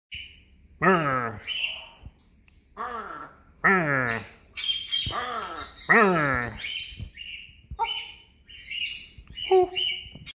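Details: Pet African grey parrot saying its favourite drawn-out "merrr": several loud, falling, nasal notes, interspersed with short whistles and chirps.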